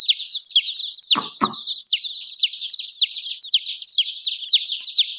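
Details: Chicken chicks give clear, high downward-slurred peeps, roughly three or four a second, with two sharp knocks near the start.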